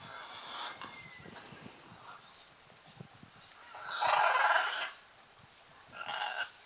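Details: Scarlet macaws during courtship display at Playa Blanca, La Palma, Osa Peninsula, Costa Rica; a harsh, broadband squawk bursts out midway, followed by a shorter rasping call, over faint background calls and rustling.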